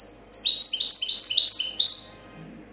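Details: European goldfinch, a 2014 competition champion, sings a clean copia-style phrase: a rapid, bright, high twitter of short notes stepping between two pitches, lasting about one and a half seconds against a quiet background.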